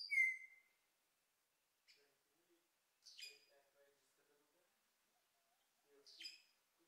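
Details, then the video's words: An Australasian figbird that has visited several times calls in a bout lasting a few minutes: a clear, ringing whistled note, then two short harsh, buzzy bursts about three seconds apart, with faint low chatter between. "The call of the Australasian Figbird"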